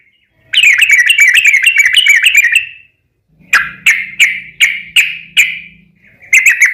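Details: Yellow-vented bulbul lure song, long 'ropel' style, played to set other bulbuls singing; a quick burst of bubbly notes, a brief pause, then a slower series of clear, ringing notes with a faint low hum underneath.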